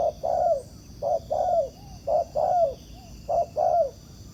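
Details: A wild-caught spotted dove gives strong coos while answering a decoy bird on the ground trap. Soft, low paired notes, a brief hoot followed by a drawn-out descending coo, come roughly once a second. A faint constant high hum sits in the background.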